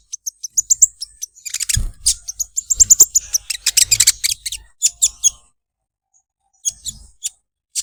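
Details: Olive-backed sunbird singing: bursts of sharp, very high chips and scratchy rattling notes, quickening into a dense chattering run, then a pause and a few more high chips.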